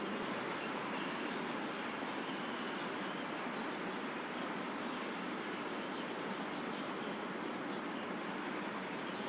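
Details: Steady roar of city traffic fills the recording with broadband noise; a single faint chirp is heard near the sixth second, but no clear animal call stands out.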